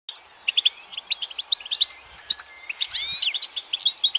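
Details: Goldfinch song: rapid twittering of bright, high chirps in quick clusters, ending in a run of looping, slurred whistles and buzzy notes near the close.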